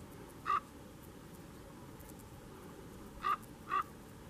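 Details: Canary Islands raven recorded at Fagagesto, Gran Canaria, June 2017, giving three short abrupt calls, one alone and then a quick pair, against a constant faint hiss.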